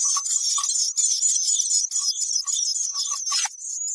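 Black-capped chickadee giving its chick-a-dee call: brief high notes, then harsh, buzzy dee notes in quick series, with a few low chips mixed in.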